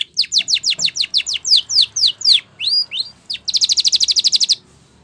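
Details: Spanish Timbrado canary singing a training song: a rapid series of falling whistled strokes, a few separate upslurred notes, then a quick bright rattling trill of even repeated notes.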